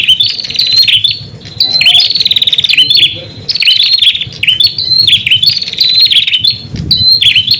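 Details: Prinia song used to lure wild prinias, possibly red-headed prinia with female calls: loud high buzzy trills and rapid ticking notes around two to four kilohertz, in repeated phrases with short pauses; faint low background hum.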